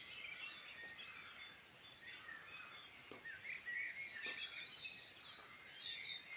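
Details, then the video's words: Birds singing in the Midlands of Ireland, a busy dawn-chorus-like mix of overlapping high chirps, short trills and bright whistles with no pauses, over a soft constant hiss. "Beautiful birdsong in Ireland Midland"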